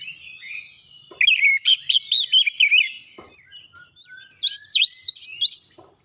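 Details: Oriental magpie-robin (kacer) song used as a lure to provoke a response: loud whistled phrases of rapid, rising and falling notes in two bursts, with fainter chirps and a few sharp clicks between.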